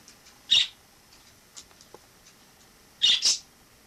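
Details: Wild sparrow living indoors as a household member after flying in through a balcony in autumn 2006: one sharp, high chirp, then after a quiet gap two loud chirps in quick succession, in a quiet room.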